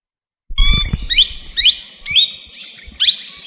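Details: A talking parrot gives a run of about five harsh, harmonic vocal phrases. Each phrase bends up then down, with short gaps between them, and low thumping handling noises sound underneath.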